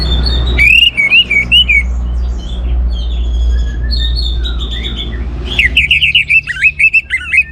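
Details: Orange-headed thrush in strong song, used to draw other birds into singing: loud wavering whistled phrases open and close, with faint varied high notes between and a steady low rumble beneath.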